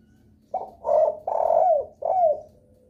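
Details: Lure call of a spotted dove said to make other doves start calling: four hoarse coos in one phrase, the third held longest and the last sliding downward, in quiet surroundings.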